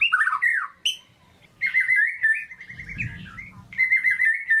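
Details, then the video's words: White-rumped shama giving lively 'gacor' lure song meant to rouse quiet shamas: jumbled slurred notes, then a sustained warbling whistled trill with a brief low rumble in the background. "PANCINGAN MURAI BATU GACOR DOR 100% AMPUH NAIKKAN EMOSI MURAI MALAS BUNYI"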